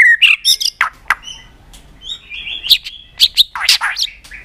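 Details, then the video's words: White-rumped shama, recorded to stimulate singing: a busy mix of sharp chips, short whistles and harsh bursts, in irregular quick phrases. "Kích Chòe lửa Lên Lửa, hót nhiều, chòe lửa đánh đuôi kích cực nhạy.luyện chòe lửa hót nhiều giọng"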